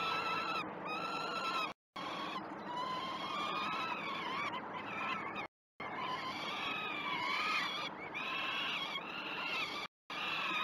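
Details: Peregrine falcon chicks begging during the first feeds at Great Spirit Bluff, 12 June 2018, live nest camera: continuous shrill, wavering screams with arching pitch, several voices overlapping, interrupted by three short silent cuts.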